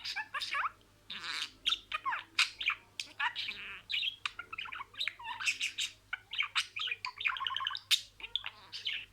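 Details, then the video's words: A caged pet budgerigar chatters in its imitation of words. It keeps up a rapid stream of scratchy clicks, squeaks and buzzy syllables with short pauses between bursts. "MUHABBETKUŞU KONUŞMA SESİ"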